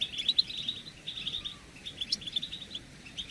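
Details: Group of European goldfinches giving chattering contact calls, used to stir males into singing, arousal and mating; soft, rapid, high twittering in runs with brief pauses, over a faint hiss.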